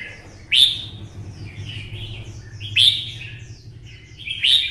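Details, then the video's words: Red-whiskered bulbul with a twisted voice, kept caged and roused to sing for fighting: loud sharp upswept notes recurring about every two seconds, linked by softer warbling phrases, over a low background hum. "CHÀO MÀO | Giọng xoắn - Kích chim xổ bọng căng lửa hót đấu"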